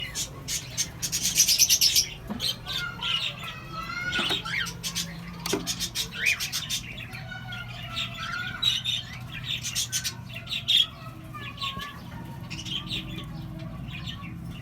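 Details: Breeding cockatiels chatter with bright chirps, short rising whistles and harsh squawks over a low steady hum.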